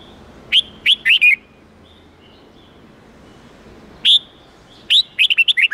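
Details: Wild-style 8-9-10 note song of a red-whiskered bulbul for training juveniles: a burst of three bright whistles, a pause, then a longer run of rapid falling chirpy notes.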